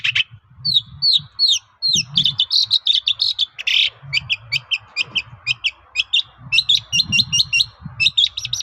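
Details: Shrike song played to make other shrikes answer: downslurred whistles repeated about every half second, then long rapid chattering runs of sharp clipped notes, low hum behind.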